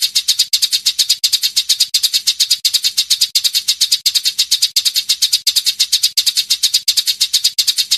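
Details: Eurasian tree sparrow (burung gereja) chirping, edited into a dense, long rolling recording used to train songbirds: rapid high, bright chirps packed tightly together in a steady, regular pattern that repeats roughly every seven-tenths of a second, with no other sounds.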